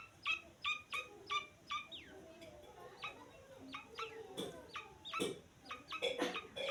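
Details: Grey francolin chick calling insistently: about fifteen short high peeps, regular at first at roughly two per second, then looser and mixed with brief rustling noises.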